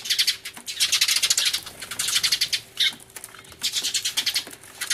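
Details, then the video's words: Eurasian tree sparrows in a loud commotion, 24 March 2013, with a turtledove nearby, recorded on Everio: relentless bright chirps stacked in fast overlapping bursts that rise and fall in intensity every second or so. "スズメの鳴き声（大騒ぎ！音量注意） Crying Sparrows"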